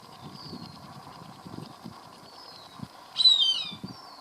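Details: Cooper's hawk eating a caught rat, filmed from a garage door, voicing pleasure: a single loud, high, squealing downslurred cry near the end, with fainter thin whistles earlier over a steady low hum.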